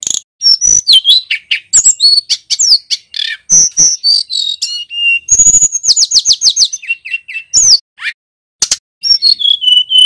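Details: Loud, clear song from a male bar-winged prinia, a rapid jumble of high whistles, buzzy trills and crisp chip notes, with one brief silence near the end before the chattering resumes.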